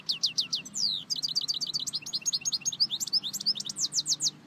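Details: Continuous sweet twitter of a European goldfinch: quick high chips and slurred notes, some rising and some falling, run together in a rapid, lively stream of song.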